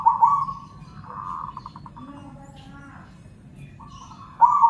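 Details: Zebra doves of local and crossbred stock singing in reply to each other: a loud warbled coo opens, then a softer pulsed stutter of evenly spaced notes, a quiet gap with low background hum, and another loud rolling coo at the end.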